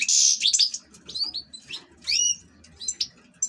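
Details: Short song phrases from an ornamental European goldfinch: a harsh buzzy note, then several bright upward-slurred whistles and clipped chirps spaced by brief silences.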